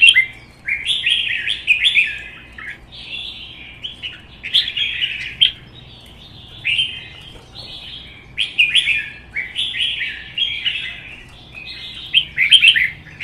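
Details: Red-whiskered bulbuls singing competitively in cages, among them a wild-caught adult fanning its tail. A steady run of lively, chirpy phrases with liquid rising and falling whistles, delivered almost continuously with short breaks.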